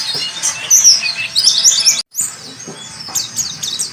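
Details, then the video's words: Warbling white-eye song used as a tutor recording for training birds: dense, high, rapid twittering chirps and rising-falling whistled notes, with a brief silent break in the middle. "Masteran burung Pleci"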